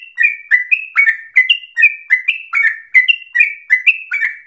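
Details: A yellow-vented bulbul (trucukan) sings in lively, extended rolling phrases compared to straw-headed bulbul song; crisp paired whistles, a higher steady note then a lower downslurred one, repeated rhythmically around every half second, clean background.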